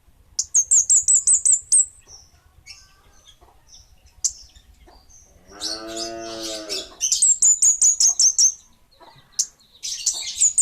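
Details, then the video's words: Kemade Bunga Api bird singing quick series of high, whistled chirps in two bursts, broken by a drawn-out lower, harmonic nasal call in the middle. "Suara Burung Kemade Bunga Api"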